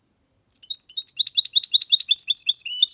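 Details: Goldfinch x canary hybrid song, clean and error-free, played to make males sing and let chicks memorise it: after a pause, high sliding whistles build into dense, quick twittering trills.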